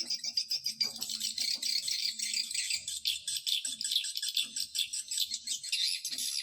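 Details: Swiftlet lure call used to attract swiftlets: a dense chorus of rapid, buzzy, rattling chirps that overlap continuously, with short pulses repeating several times a second and a faint low hum underneath.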